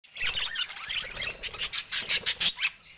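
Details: Budgerigars chattering: a run of scratchy, high chirps and warbles, then a burst of sharp, evenly pulsed tweets near the end before a short pause.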